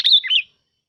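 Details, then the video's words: A single short, bright phrase from a sooty-headed bulbul decoy bird: a clear whistle sliding downward, then a lilting rise. "Tiếng Chim Bông Lau Mồi"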